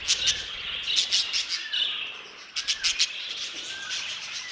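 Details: Budgerigars kept in an aviary, many birds chattering together in bursts of high, scratchy chirps and warbles, with short rising whistles between louder clusters.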